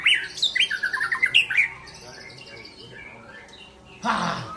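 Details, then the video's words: Murai Aceh, the white-rumped shama, delivers a quick run of loud, rising and falling whistled notes for under two seconds, then goes quiet before a brief noisy rustle. "Murai Aceh"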